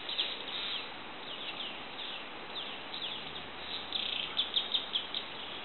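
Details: Golden-headed manakin at Asa Wright Nature Center in January 2011. A quick run of sharp, high chirps near the end follows fainter downslurred notes over a steady hiss of insects.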